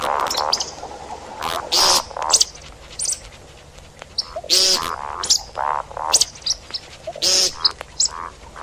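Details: See-see partridge calling, a recording used for hunting: scattered harsh, ringing notes and sharp high squeals that come in uneven clusters, with quiet gaps between the bursts.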